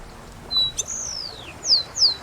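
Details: Canary song, a species whose males sing long, varied sequences: a short high whistle, then a long slurred note falling in pitch, followed by two quick down-slurred whistles. Faint background hiss.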